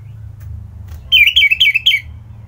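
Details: Singing Orange-headed thrush from Kubutambahan near Singaraja, Bali, in the morning. A quick run of five bright whistled notes, each dropping in pitch, follows a second of quiet with faint low hum.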